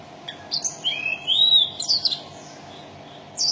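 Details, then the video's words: Brief mountain tailorbird phrase: a few sharp high notes leading into long, sweet, arching whistles that rise and fall, then fading, with a low background hum. "Kicauan Burung Tledekan Gunung"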